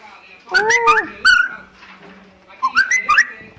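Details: A pet cockatiel whistles a short tune of rising and falling clear notes in two phrases, with faint background voices.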